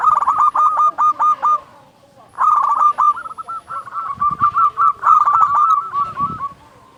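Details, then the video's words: Local zebra dove with a loud voice, a lure to make doves sing. Fast runs of short, rolling coos, a pause, then a long continuous sequence of rapid notes that tails off softly. "Perkutut lokal gacor SUARA BESAR pancingan burung perkutut agar bunyi"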